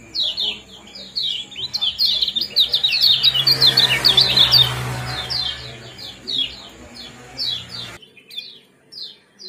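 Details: Kecial kuning (Common Iora) 'ciak jos' chirps for raising breeding condition: rapid run of sharp descending chirps, thickening into a dense burst midway, then an abrupt cut before a few quieter chirps.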